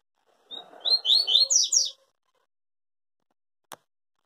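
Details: Papa-capim, or yellow-bellied seedeater, singing a Tui Tui type song said never to break: a rapid string of high, slurred whistles rising toward the end, over a soft low murmur, with a single click afterwards.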